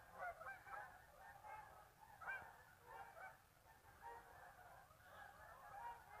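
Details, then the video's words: Geese heading out from a marsh for an afternoon feed after resting at midday, a continuous overlapping chorus of honks from a large flock, loud peaks at intervals, one sharp clear honk near the middle. "Geese Leaving Marsh"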